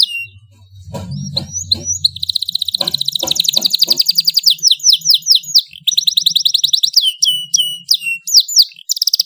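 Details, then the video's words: Domestic canary singing loudly: a few scattered opening notes, then sustained fast trills and varied rapid whistled phrases, with faint low thumps and hum at first. "kenari GACOR suara LANTANG"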